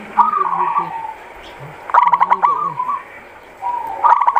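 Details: Local zebra dove calling three times: each coo starts with fast stuttering pulses and settles into a wavering, mid-pitched trill. Faint low tones murmur underneath.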